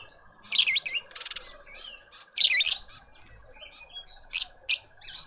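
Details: Lovebirds in a suburban garden in Pretoria, South Africa, a family feeding a juvenile: sharp, high, chattering squeaks come in short clustered bursts about two seconds apart, over a steady low hum.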